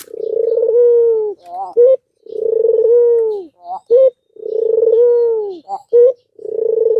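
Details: Albino Barbary dove calling to stimulate other doves that are reluctant to call: long, even, low cooing notes, each followed by short, sharper rising notes, in a cycle repeating about every two seconds.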